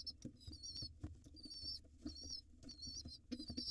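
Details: Four or five long, wavering, high-pitched squeals from hungry wild pigeon nestlings as their father feeds them, separated by short gaps filled with light tapping.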